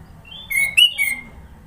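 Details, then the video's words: Sooty-headed bulbul in Sidoarjo, East Java, giving a short varied song: a high thin whistle leads into three clear, bright notes in quick succession, then quiet low rumble. "Burung kutilang suara isian banyak"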